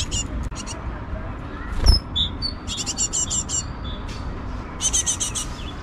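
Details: Great tits, adults and chicks at a nest on an eleventh-floor balcony in Mariahoeve, The Hague, April–May 2024, give rapid bursts of high, scratchy chirps with a few thin whistled notes between, over a steady low rumble.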